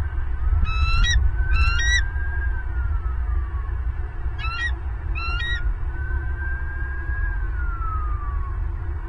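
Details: Bald eagle at a nest in Southwest Florida, on a live nest camera, 30 November 2022, around the first egg: two pairs of quick bursts of thin, high, stuttering piping notes, plus long, gliding whistled tones and a steady low rumble.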